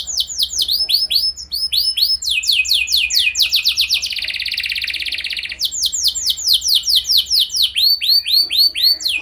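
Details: Canary singing to draw other canaries into song. Loud looping notes lead to a dense, buzzy sustained roll in the middle, followed again by repeated arched, swooping syllables.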